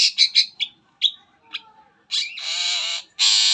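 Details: Long-tailed shrike singing in a lure recording for other shrikes: quick harsh chips and squeaks, followed by long loud grating buzzes.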